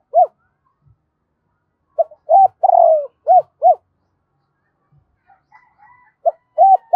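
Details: Double-voiced call of a spotted dove used for luring birds. A phrase of paired mellow hoots, a rolling drawn-out coo and two closing notes, then the next phrase beginning. Faint high chatter of other birds.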